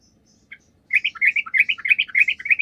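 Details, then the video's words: Lure song of a sooty-headed bulbul meant to make other birds reply: after a lone chirp, an unbroken run of quick, warbling notes rising and falling in a lively bubbling chatter. "PANCINGAN TRUCUK GACOR, TRUCUK MANAPUN DIJAMIN LANGSUNG NYAUT"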